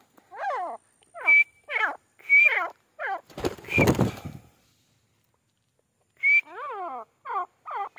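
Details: Teetar, the grey francolin, uttering harsh, stacked notes that curve downward, grouped in quick bursts. A piercing level whistle recurs, a loud rustling burst sounds in the middle, then a pause before the calls resume.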